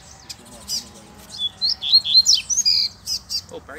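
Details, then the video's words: Double-collared seedeater out in the bush, drawn by a lure, singing a quick sequence of thin, high, rising and falling whistled slurs and chirps, with a faint low hum. "COLEIRO NO MATO TOP ATÉ FILHOTE PIANDO APARECEU!!!"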